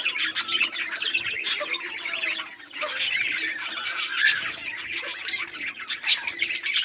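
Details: Budgerigars recorded 18 July 2023, a flock mixing harsh short squawks with fast chirpy warbling, continuous and energetic, with sharp clicky notes repeating rapidly near the end.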